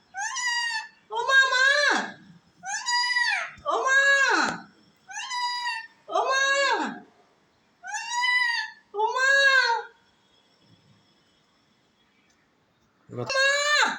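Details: Pet parakeet talking face to face with its owner indoors: a run of short, rich, word-like phrases with strong harmonics, each about half a second to a second long, then a pause of a few seconds before one more phrase.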